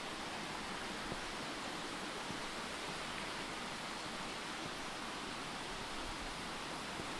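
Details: Even rushing broadband noise, like wind or running water, fills the recording with no animal call.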